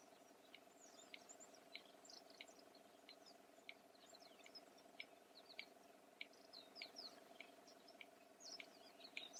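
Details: Red-crested bustard making sharp dry clicks by slamming its beak, a sound used for contact and in male courtship; about fifteen clicks at slightly uneven intervals, over a steady low hum with high chirping birds throughout.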